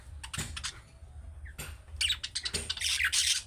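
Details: Budgerigar chicks' calling-style chirps, meant to make pet budgies answer: bursts of harsh, scratchy high chirps in uneven clusters that grow denser and louder toward the end, with a soft low hum underneath.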